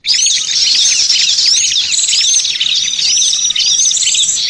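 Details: Lure recording for attracting small birds: dense, continuous high chirping and twittering from many small birds, thin rapid notes overlapping without pause.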